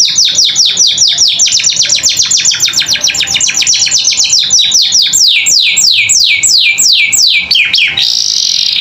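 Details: A canary sings a long 'gacor isian' phrase used as tutor audio for young birds: a very rapid run of sharp descending whistles slowing into wider spaced swoops, ending in a short buzz.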